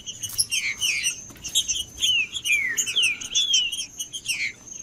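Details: Captive green-winged saltator singing cold, played to warm up another bird: a run of downslurred whistles over dense high chirping, with a faint continuous high-pitched tone in the background.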